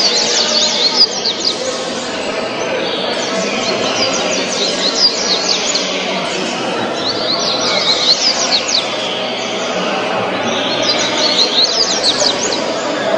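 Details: A Double-collared seedeater, a 2013 national champion songbird, sings fast, high twittering phrases that sweep up and down. It repeats them in bursts every few seconds over a steady murmur of voices and other birds.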